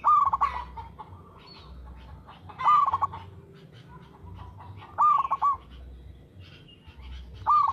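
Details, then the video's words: Local zebra dove in full song, cooing at a steady rhythm: a low rolled coo repeated about every two and a half seconds, with faint low background hum. "PERKUTUT LOKAL GACOR SUARA TERATUR"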